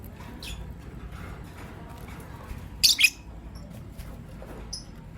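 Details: Green Personata and pastel white lovebirds in the morning give a loud double shrill chirp, two quick high scratchy notes in succession, then one faint thin chirp near the end against a soft low hum.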